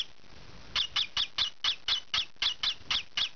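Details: Green pied rosy-faced lovebird youngster scratching and calling: after a brief quiet start, eleven shrill squawks follow in quick succession, each a short harsh burst, indoors.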